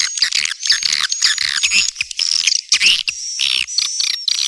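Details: Calling swiftlets, used to attract young swiftlets: bursts of harsh, twittering chatter with short gaps between, and a faint high whistle line behind.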